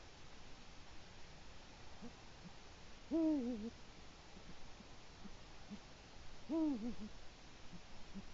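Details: Eurasian eagle-owl on a Latvian autumn evening, October 2017, calling from the nest to mark territory: two deep hoots about three and a half seconds apart, each dropping at the end, with soft low notes scattered between.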